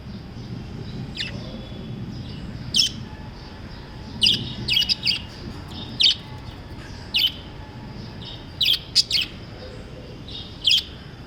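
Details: Lovebirds chirping: short, sharp, high chirps in irregular bursts, some doubled, scattered across about eleven seconds over a low background hum.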